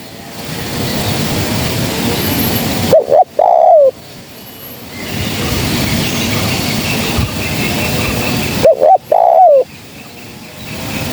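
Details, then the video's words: Spotted dove luring call, female voice, with two widely spaced phrases of short hooked notes ending in a falling coo, separated by long stretches of loud steady hiss. "Suara Burung Kicau TERKUKUR GACOR‼️Suara Yang Dimnati Pemikat Gacor Bersih Dan Jauh"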